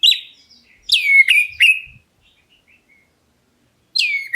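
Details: An Oriental magpie-robin of the black-breasted form calling to draw answers from other birds: a whistle, three sharp falling whistles in quick succession, a long near-silent gap, then one more loud descending whistle.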